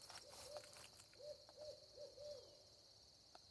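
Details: Barred Owl in dense woods near Quebeck, Tennessee, calling at sunset before dark as owls become active, gives a quick run of about five mellow, slightly rising-then-falling hoots over two seconds, with a steady high insect drone behind.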